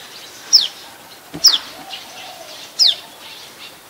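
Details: In Ubon Ratchathani, Thailand, on 27 January 2021, an adult common tailorbird, a resident species, gives three loud piercing notes that slide steeply downward, spaced unevenly about a second apart, against quiet surroundings.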